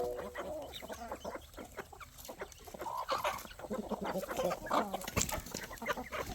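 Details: Flock of chickens and roosters eating at a poultry farm feeding time in the evening, many low clucks and brief chirps overlapping over a steady hum.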